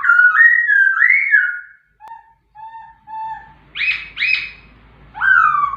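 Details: Pet white-rumped shama in full song: rich whistled slurs, a string of short clear level notes, then two sharp loud bursts and another whistled phrase, delivered in quick varied sequence.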